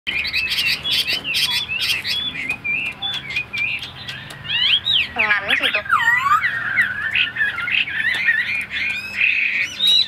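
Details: Caged, tame Chinese hwamei kept as a songbird: loud varied whistled phrases sliding up and down, broken midway by harsh rasping squawks, then fast warbling runs of rising and falling notes.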